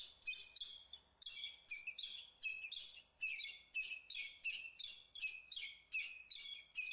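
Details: Peregrine falcon at Włocławek, Poland, recorded 15 January 2013, giving a steady series of sharp, grating high notes in close succession, each short and slightly downslurred, with some rapid doubled notes and little other sound.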